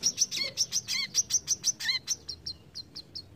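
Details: Brown-throated sunbird delivering a rapid besetan burst of high, sharp notes, some doubled with buzzy lower tones, gradually slowing and fading into a few spaced chips.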